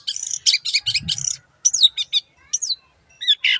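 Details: Long-tailed shrike in lively song: a rapid burst of dense, scratchy high chirps, then after a short pause several sharp, twisting whistled notes separated by brief gaps.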